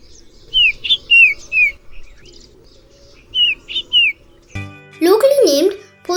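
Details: Common iora (Aegithina tiphia) in Sri Lanka giving its loud whistle call: clear, high, slurred whistles in two short bursts of three or four notes; a child's voice follows at the end.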